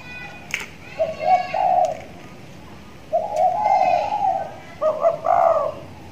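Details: Young trained spotted dove, six months old, tied in its cage and starting to call frequently; three soft, hollow cooing phrases of several syllables each, separated by pauses of about a second.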